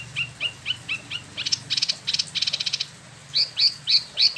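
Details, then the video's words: Spot-throated babbler kept in a cage in Bandung, West Java, Indonesia, imported from mainland China and Vietnam: a run of short rising whistled notes, then a quick rattling burst of clicks, then sharp upslurred chirps. "Wambi Mini / Tieu Mi (Pellorneum albiventre) ngeroll"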